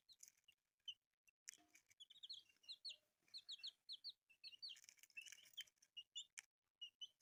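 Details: Dense peeping of newly hatched chicks: runs of sharp high downward-slurred chirps amid clicks, taps and brief rustling bursts.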